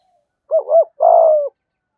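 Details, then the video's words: Spotted dove in the 'giọng thổ' voice, a lure for wild doves; one phrase of two quick rounded coo notes followed by a long, steady, slightly hoarse coo that falls at the end. "Tiếng chim cu gáy giọng thổ Gù Thúc giọng hay, tiếng thổ hạp bổi nhanh về cội"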